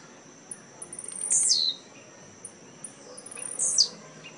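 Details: Captive blue-black grassquit (Volatinia jacarina) singing at a song tournament in Jacarepaguá, Rio de Janeiro, 18 November 2017: two short, high, explosive buzzy phrases sweeping downward, about two seconds apart, over a steady high hum.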